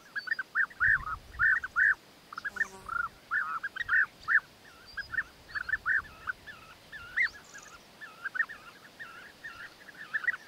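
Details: Courting European bee-eaters, the male bringing food gifts to the female; a steady stream of burry, rolling calls, often doubled, continuing almost without a break, with fainter calls behind.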